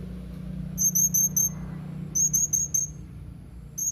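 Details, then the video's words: Blue-crowned hanging parrot, 31 March 2021: two series of four piercing, high squeaks, evenly spaced, followed by a single note at the end, with a low droning hum underneath. "Burung Serindit anda gak akan diam mendengar Suara serindit ini"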